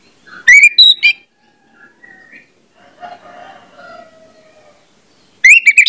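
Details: Orange-headed thrush lure song meant to make birds start singing freely: a short burst of loud rich whistles, a long stretch of faint, scattered warbling, then loud whistled notes returning at the end.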